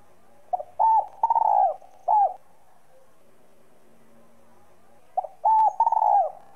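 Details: Spotted dove, likely a caged bird, singing in the whistle-voiced style used to stimulate other doves: low hooting coos in a phrase of a short note, a trilled drawn-out coo and a final coo, repeated after a pause.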